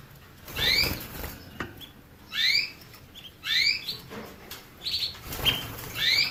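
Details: Canary calling with clear upward-sweeping chirps spaced about a second apart, some paired, with a couple of flat whistled notes; steady background hiss and low rumble throughout.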